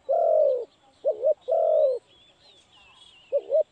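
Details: Spotted dove, trapped with a decoy in Cambodia, giving loud low coos: two long drawn notes alternating with short two-part wavering coos, plus faint high whistles of other birds in the background.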